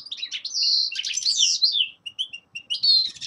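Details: Loud, close song of a young male common linnet in winter: sustained buzzy phrases and twittering slurs, then short chips and a final buzzy note.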